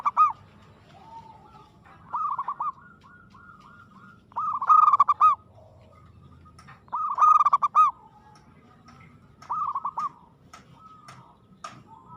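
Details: Aggressive local zebra dove song: five phrases of quick, staccato cooing notes, repeated roughly every two and a half seconds. Soft connecting notes are heard between phrases.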